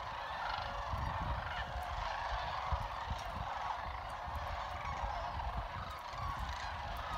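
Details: Large flock of sandhill cranes trilling and chatting at Jasper Pulaski Fish and Wildlife Area; a dense, continuous chorus of overlapping rolling calls, almost like crowd noise, with low rumbling wind or handling noise beneath.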